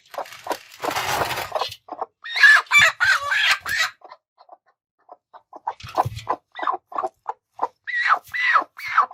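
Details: Two very angry broody hens in attack behaviour, giving rapid clucks and loud harsh squawks in dense bursts, then a quieter pause, then quick, rising, scolding notes.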